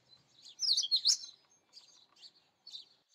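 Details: Indian robin song, a loud, rapid cluster of sweet, sliding chirps and warbles, then three or four fainter short twittered notes spaced across the remaining seconds, with no other clear sounds.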